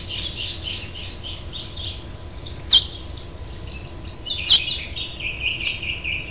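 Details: Calls from a house finch nest, 6/12/07, as the final fledgling gets encouragement to fly. A rapid run of soft high chirps is followed by two sharp accented notes and scattered thinner tweets.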